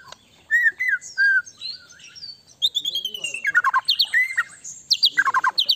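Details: White-rumped shama singing to prompt another shama's quick response: clear sliding whistles, high thin notes and a rapid run of sharp repeated chips toward the end.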